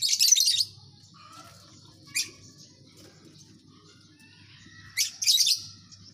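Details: A colony of lovebirds chattering in bursts of shrill, high chirps, with a loud scratchy burst at the start, a brief one near two seconds, and a double burst near the end, separated by quieter faint twittering.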